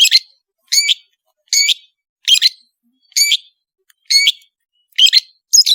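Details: Long-tailed shrike (cendet) in bright song used to train songbirds: a harsh, high, double-toned chirp repeated about once every 0.9 seconds, about seven times, in otherwise clean silence.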